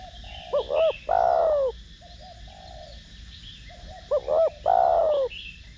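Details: Spotted dove, 'thổ đồng' voice, used to stimulate decoy doves. Two full cooing phrases are heard: two short notes, then a long, slightly falling coo, with quieter low murmurs between them and faint distant chirping.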